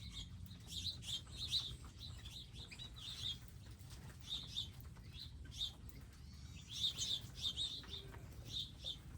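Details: Wild birds visiting a specially designed garden area with feeders, seed and water, giving short high chirps in scattered bursts, some overlapping, with a low background rumble.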